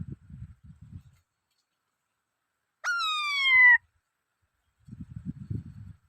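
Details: One loud, clean whistle from a black-throated laughingthrush starts with a sharp upward flick, then glides slowly down over about a second. Faint low rustling or handling noise comes before and after.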